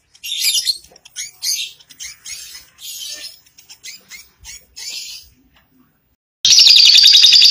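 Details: Lovebird ngekek chatter, a long lure to get other lovebirds singing: a string of shrill scratchy bursts, a short pause, then a loud continuous high trill to the end.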